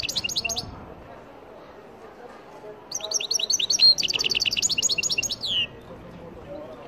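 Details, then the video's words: Algerian goldfinch (meqnin) singing: a brief burst of rapid, high twittering notes, then after a pause a longer run of fast, evenly repeated chirps ending in a descending buzzy slur, over a low indoor murmur. "مقنين تيواواطي Algerian goldfinch"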